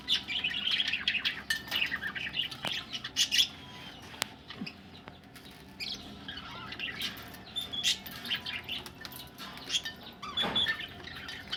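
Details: Several budgerigars ready for egg-laying keep up a busy warbling chatter of squeaks, clicks and rasping notes, loudest at the start and again near the end.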